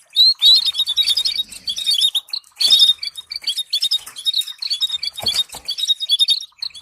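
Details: Canary song with stimulating trill phrases, played to train canaries to sing: dense, rapid high twittering and chirps in bursts, with short quiet gaps and a brief low thump near the end.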